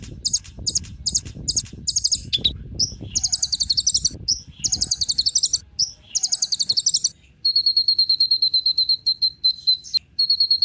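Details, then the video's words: Kolibri ninja sunbird singing as a lure for other birds: high, fast chattering trill bursts at first, then a steady string of clear, evenly spaced whistled notes on one pitch. "Kolibri Ninja Pancingan Penggacor Burung Cocok Buat Isian Segala Burung"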